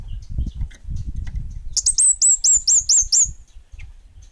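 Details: Orange-headed thrush, bunga api type, in active song: over a low rumbling noise, eight rapid, very high, sharp hooked whistles ring out in a tight run lasting about a second and a half.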